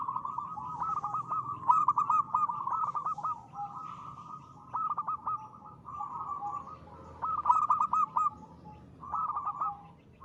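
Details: Song of a local zebra dove in full voice, offered as a lure to set other birds singing. Several bursts of quick, clipped coos roll into purring trills, separated by quieter stretches across ten seconds.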